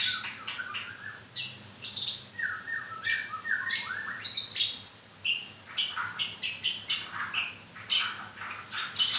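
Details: White-rumped shama in moult, likely caged, singing a varied run of short whistled notes, rising and falling slurs near two kilohertz mixed with sharp high chips and buzzy bursts, phrases packed closely with brief gaps.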